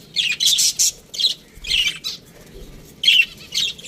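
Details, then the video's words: Budgerigars in an aviary giving bursts of high, scratchy chirps and warbles, several short clusters separated by brief pauses, with faint low background rumble. "Budgies Parrot chirping sounds"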